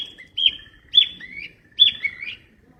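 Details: Flycatcher in the wild giving three whistled phrases, each a high clear note that drops into lower sliding notes, repeated roughly every second over faint low background rumble.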